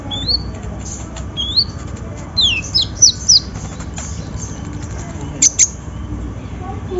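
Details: Lure recording of a sunbird to prompt singing: short, bright upslurred whistles and sweeping notes given in loose bursts, then two sharp high chips near the end, against quiet background noise.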